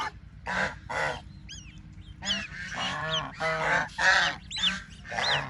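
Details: Baby ducks splashing about in water, with loud, harsh, honking calls in quick, overlapping bursts at a rate of nearly two per second, and thin, high, looping peeps mixed in.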